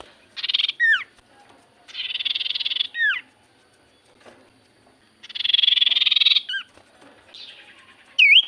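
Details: Lure song of a Common iora to make quiet birds answer: three long buzzy trills, each followed by a steeply falling whistle, and a final sharp looping note.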